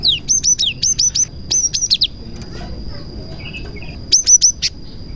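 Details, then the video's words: Cinereous tit (gelatik batu) in song with prinia imitations, meant to coax other tits into singing; rapid run of bright high chips and downslurs, a quiet gap with a soft lower warble, then a final burst of four chips. "BURUNG GELATIK GACOR ISIAN PRENJAK • AMPUH MEMANCING BURUNG GELATIK LAIN AGAR CEPAT GACOR"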